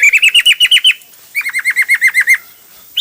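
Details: Hwamei singing in a varied style: two fast series of loud, clear whistled notes, each note sliding down, about ten per burst with a pause between, then a rising whistle at the end.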